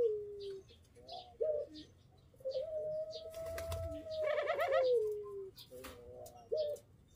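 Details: Caged adult pelung chicken from breeding stock crowing one drawn-out, even tone lasting about three seconds that sinks slightly at the end. A brief rasping, rattling sound overlaps its middle, with short chirps and knocks around it.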